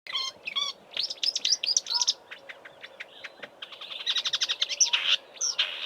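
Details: Marsh warbler singing in Eastern Cape bush, South Africa, in March before migrating north, mimicking southern African birds; a fast, varied jumble of chirps, trills and buzzy notes in quick bursts, recorded from a roadside right next to the bush.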